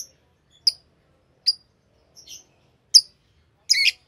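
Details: Piercing single chirps at irregular intervals from a green Fischer's lovebird pair, ending with a harsher, broader squawking note.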